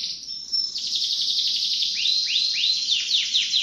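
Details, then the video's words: Canary in continuous song: a dense high buzzing roll that runs without a break, with a series of rising swept notes repeated about three per second near the end. "٣٠ دقيقة تغريد مستمر ورائع مهما كان نوع الكناري خاصتك سيبدء بالتغريد"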